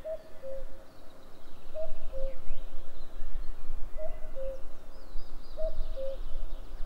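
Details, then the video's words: Common cuckoo recorded 11 May 2022, giving four clear two-note calls, each a short higher note dropping to a slightly longer lower note, repeated roughly every two seconds over soft distant bird chatter and low rumble. "Cuckoo calls"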